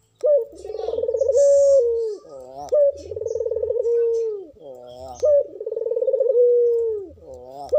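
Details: Captive Madura dove in breeding condition, a contest bird, giving low rolling coos, each a trembling purr ending in a drawn-out tone, repeated about every two and a half seconds, with soft wavering notes between and faint low thumps.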